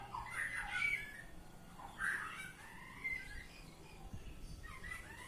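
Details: Oriental magpie-robin song, ngeplong style: warbled mid-pitched whistles in short rich phrases at irregular intervals, with thin sliding notes between them and a low background hum.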